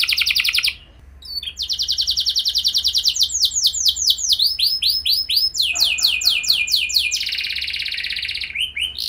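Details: Canary singing, used as a lure to set other canaries off: a buzzy high trill, a brief break, then a long rapid rattle flowing into swooping arched syllables and another quick trill before the end.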